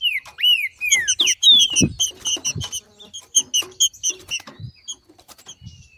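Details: Female green-winged saltator in the wild, singing in the male manner used to stir other saltators into song: a few loud whistled notes sliding downward, then dense sharp ticking chips and soft thumps.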